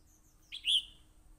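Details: One quick phrase from a red-whiskered bulbul in a fight, recorded on a voice recorder: a soft lead-in chirp sliding into a strong, clear whistled note.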